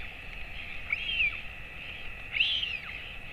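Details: Royal albatross father feeding a chick 217 days old at 11:35 am on 28 August 2024 in a breeding colony. Two arched, downslurred piping notes sound about 1.5 seconds apart over a steady background hiss.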